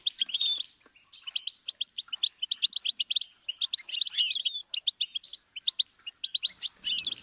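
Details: Goldfinch song used as a learning stimulus for songbirds: a dense, fast run of bright, high tinkling twitters and chirps. Brief notes are packed closely together with a few short pauses, and there are no other clear sounds.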